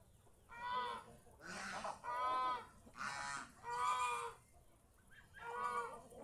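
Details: Geese kept at home, enjoying nature in fields around the house: six loud nasal honks, each lasting nearly a second, coming about once a second with rich stacked harmonics.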